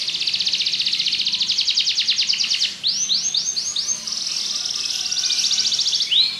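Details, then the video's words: Belgian canary singing a long rapid high trill, then a few curved rising-falling chirps and another buzzy rolled trill. "Canário Belga cantando"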